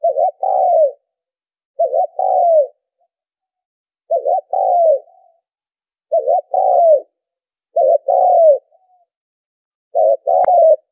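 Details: Spotted dove coos meant to attract birds to a trap. Six phrases come at slightly uneven gaps, each a short bubbling double note and then a sustained slurred coo, with one faint click near the end.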